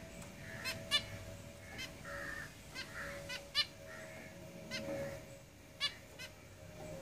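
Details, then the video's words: Caged zebra finches produce short, nasal, toy-trumpet beeps at irregular intervals, some in quick pairs, with softer mewing notes between them and a steady low hum beneath. "Zebra Finches Singing in the cage"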